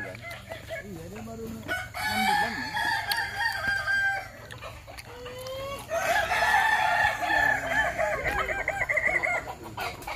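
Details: Overlapping crows from Kukuak Balenggek roosters fill a practice crowing contest in Sawah Lunto. The drawn-out, warbling notes swell around two seconds and again after six seconds, over a constant low hum.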